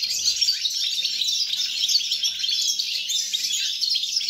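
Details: Recorded 29 December 2022, a goldfinch pours out continuous twittering song, sharp high chirps mixed with tinkling trills and brief whistled notes, and a faint hum below.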